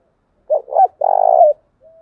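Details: Lure cooing of a spotted dove from Vietnam, used to bring in wild doves: a choppy double hoot, then a drawn-out rolling coo, then a faint low trailing note. The setting is otherwise quiet.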